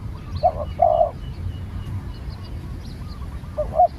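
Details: Spotted dove being trained as a new bird: a short double coo and a longer rolling note near the start, a pause, then another double coo and long note at the end. Faint low rumble underneath.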